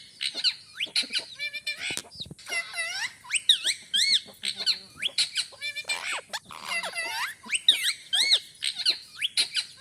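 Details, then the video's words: Talking parrot kept as a pet, producing rapid squeaks, chattering bursts and looping whistled notes that rise and fall, interspersed with brief harsh screeches. "Bolne wala tota"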